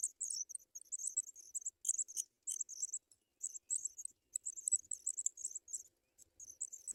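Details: Begging African pipit chicks at the nest as adults deliver white butterflies: clean, very high squeaky notes in quick clusters separated by short pauses, with no other sounds.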